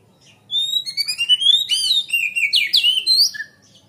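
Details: Energetic Oriental magpie-robin song played as a lure for training young birds: a dense run of clear whistled notes, upward sweeps and quick trills, loud and continuous for about three seconds, ending in a lower slurred note.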